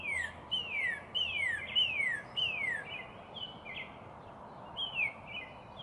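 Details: Northern cardinal singing a series of loud, clear whistles, each sliding steeply downward, repeated about every half second and fading into softer, shorter slurs at the end, over a faint steady background hiss.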